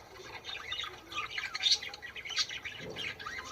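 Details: Budgerigar song to encourage birds to mate: continuous scratchy, chattering warble of quick buzzy notes and squeaks throughout, with a brief low sound near the end.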